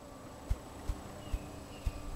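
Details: A male Ruffed Grouse drumming in a mating display at Bear Mountain, Dawson Creek, BC, on 5 May 2008: four deep, muffled thumps about half a second apart, over faint outdoor background hiss.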